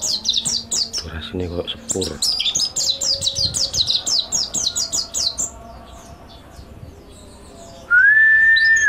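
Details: Mountain white-eye master song for training: quick bursts of high, sharp chirping for about five seconds, a quiet stretch, then a loud, steady, flat whistled tone at the end.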